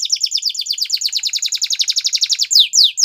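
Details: Canary training song for young canaries: a fast, even trill of sharp descending notes, about eight per second, followed by a few slower, louder downward-sweeping whistles.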